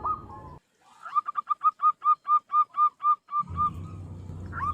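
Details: Tame zebra dove used for luring wild doves gives a neat series of about twelve evenly spaced, hollow coo notes that swell then taper. Low rumbling noise comes before and after the series.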